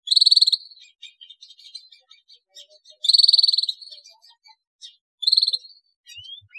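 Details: Canary song used as a lure to prompt other canaries to sing: three loud buzzy trills near the start, middle and end, each under a second. Between them come soft scattered chirps and twitters.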